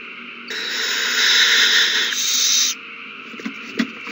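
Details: March 21, 2020, owls at their nest frenzied over a mouse passed from one to another. A drawn-out rasping hiss swells for over two seconds, then stops, followed by a few faint knocks.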